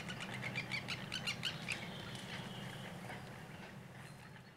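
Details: Courting male common greenshank before mating, near sunset: a short burst of quick repeated piping notes that trails off after two seconds, leaving the low drone of a sawmill about fifty meters behind the birds.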